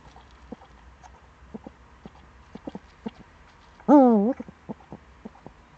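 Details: Eurasian eagle-owl, Eifel, 26 September 2013, around seven in the morning: scattered short hoarse notes, then one loud, strongly modulated wavering call after about four seconds, and more short notes after it.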